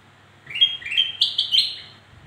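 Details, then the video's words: Black-crested bulbul song played to lure birds that are slow to sing: one short phrase of about five bright whistled notes climbing stepwise in pitch over roughly one and a half seconds, over a faint low hum. "Suara Burung kutilang Emas Untuk Memancing Bunyi Burung Malas Bunyi"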